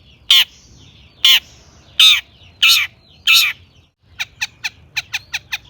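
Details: Long-tailed shrike in an active lure song meant to stir other shrikes: five loud, harsh, crow-like cawing notes about a second apart, followed by a quick series of sharp, high ticking notes.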